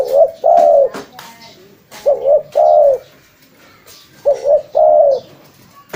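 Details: Spotted dove cooing, a recording used as a lure: three repeated phrases, each two quick short coos followed by one longer, drawn-out mellow coo, roughly every two seconds, with soft clicks between.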